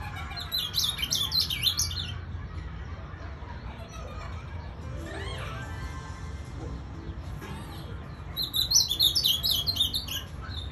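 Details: Ultramarine grosbeak, a moulting pet bird, recorded in January 2021: two bursts of rapid, high, chirpy twittering notes, one near the start and another near the end, with a quieter stretch between them and steady low background hum.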